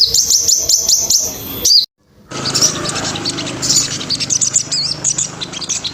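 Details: Sogon song used as a master for teaching birds: a fast run of sharp high chirps, a short silence, then a dense twittering stream of high notes.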